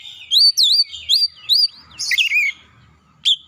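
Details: Oriental magpie-robin song played as a lure, thirty minutes morning, noon and night, to coax a stressed, untrained bird into singing quickly; loud looping whistles repeated in quick succession, then a buzzy slurred phrase and one final sharp note.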